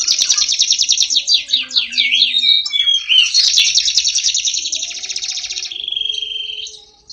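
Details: Prize-winning canary in full, prolific song: rapid buzzy trills and rolling chatter, then a sustained whistled note near the end, the song fading away in the last second.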